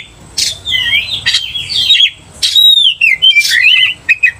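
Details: Provoked Oriental magpie-robin: a few seconds of bright warbling whistles and harsh rasping bursts, with a clear high rising whistle in the middle, ending on short chipped notes.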